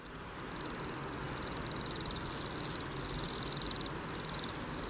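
Bohemian waxwings give high, thin, sibilant trills in overlapping bursts about a second long, like several birds calling together, with a faint hiss behind.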